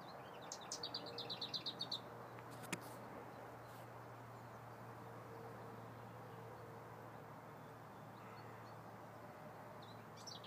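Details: A lesser whitethroat sings at Woodoaks Farm: one quick, dry rattle of about ten high notes on a single pitch, lasting under two seconds, over a steady low hum and faint background noise.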